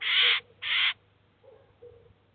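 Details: Eurasian jay at a cheese feeder with its chicks, recorded in 2019: two loud, grating rasps in quick succession, followed by quiet background with a faint low tone.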